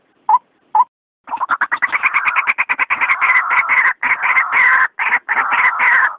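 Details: White-breasted waterhen at night, recorded for luring. Two isolated croaks open, then a harsh, loud, overlapping chorus of grating, bubbling croaks rises and runs on continuously with brief breaks.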